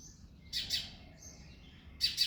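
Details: Early-morning February song of a male house sparrow: paired harsh chirps, then a brief pause with faint thin whistles, then another close pair of chirps.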